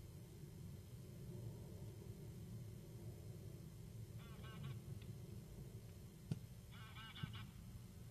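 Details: Geese flying over Kulgur, Estonia, on 28 March 2018 at 20:39: two short bursts of distant, nasal, stacked honks against a steady low rumble, with a sharp click between them.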